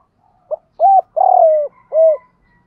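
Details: Spotted dove phrase from a recording of male and female coos for training captive birds. A short opening note is followed by a rounded coo, a long coo with a buzzy start drifting lower, and a final rounded coo, in a quiet background.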